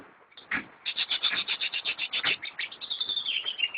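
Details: Greater green leafbird from a friend's collection gives a steady, rapid series of about twenty bright repeated notes, slightly quieter, ending in a gliding whistle.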